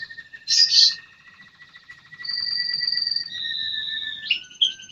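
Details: American Singer canary singing a varied song: a buzzy burst, then long steady whistled tones at two pitches, ending in a quick rising flourish.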